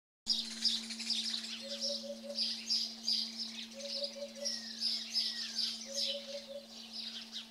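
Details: Eurasian hoopoe singing at Radiquero, Aragon: three series of four soft, hollow, low 'oop' notes, spaced about two seconds apart, beneath a dense chorus of high chirping from other birds, with a steady low hum throughout.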